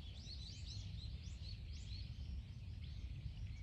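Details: Wagtail recorded 12 November 2024 gives a quick run of thin, high chirps, several a second, faint above a steady low rumble of wind or distant traffic.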